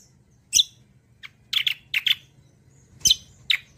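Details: Kecial kombo singing for use as a lure and song model for other birds: loud, sharp, high chirps delivered in pairs and singles with short pauses between them.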